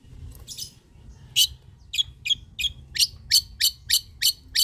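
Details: Long-tailed shrike in pastol gacor song, used as a lure for lazy shrikes. Harsh, raspy notes repeat roughly three times a second in an increasingly steady rhythm over a low background hum.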